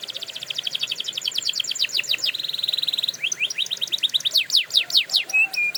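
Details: Canary song for training canaries: rapid rolls of high repeated notes, then a steady buzzy tour, followed by quick descending slurred whistles and sharp chips near the end, continuous and bright.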